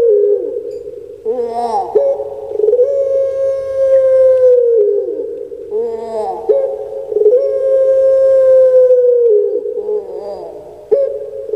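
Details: A captive puter pelung dove (Streptopelia risoria), kept in Java, Indonesia, gives long, drawn-out hollow coos, each held two to three seconds on a steady mid-pitched tone with a rising start and falling end, repeated with short gaps.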